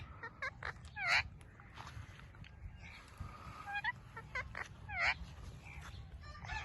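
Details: Talking ringneck parrot kept as a pet, giving scattered harmonic, speech-like syllables with a few brighter, sharper notes standing out, over a steady low rumble of background noise.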